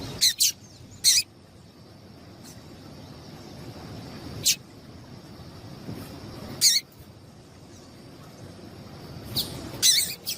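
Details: A female double-collared seedeater gives short, high chip notes in brief clusters every two to three seconds over a faint steady background hiss; the calls are used to stimulate captive males to sing.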